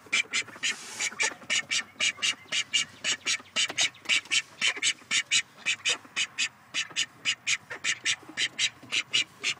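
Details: One of a pair of grey call ducks gives loud, shrill, nasal quacks in a fast, steady run of about two per second while the other stays quiet; no other sounds.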